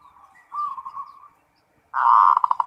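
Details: Zebra dove (local perkutut) performing ngerot song to stimulate breeding: a soft wavering coo, a short silence, then a loud, rapid pulsing trill of cooing notes.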